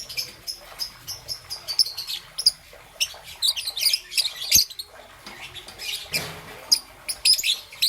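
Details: Morning chirping from a young peach-faced lovebird with green and yellow plumage; scattered high squeaky tweets, some grouped in quick runs, others spaced apart, over a quiet background.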